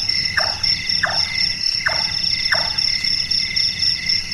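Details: A night-active Large-tailed nightjar, Caprimulgus macrurus, producing its wood-knocking call, likened to a carpenter: four regular, downward-sliding knocks about 0.7 seconds apart, then the insect chorus alone carrying on.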